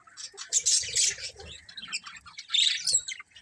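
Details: Colony of colourful budgies, overlapping chirps and squawky chatter, two loud bursts at the start and end with softer warbling between.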